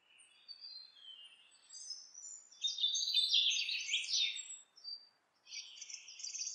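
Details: House wren building a nest breaks into rich gurgling song, starting soft and swelling into a loud, dense trilled cascade, then a short pause and a further rattling phrase.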